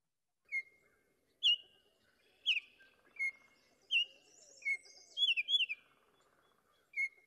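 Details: A Baltimore Oriole, a common bird of southwest Ohio, sings clear, rich whistled notes, about eight over seven seconds at an uneven pace, some doubled or slurred, with faint background chatter.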